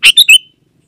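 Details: Sooty-headed bulbul (Pycnonotus aurigaster) song, used as a lure to prompt quiet garden bulbuls and call wild birds: three quick, bright, liquid notes, the last slurred and trailing off, in under half a second.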